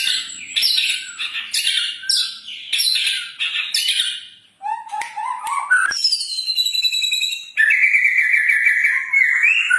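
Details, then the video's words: Lure song of a persistently singing White-rumped shama, meant to set birds singing: choppy harsh notes repeated about once a second, then low rising warbles and a long, steady whistled trill. "Pancingan murai batu gacor 🔥 Burung auto bunyi"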